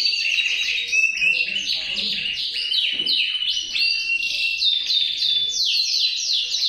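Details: Male canary singing a continuous, rapid song of buzzy trills and sweeping whistled notes, high-pitched and rolling without pause, each trill phrase quickly giving way to the next.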